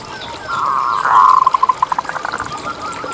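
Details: Zebra dove of a local strain, singing strongly, recorded as a lure to keep other zebra doves calling: a swelling coo that breaks into a fast run of short, clipped notes, slowing and fading.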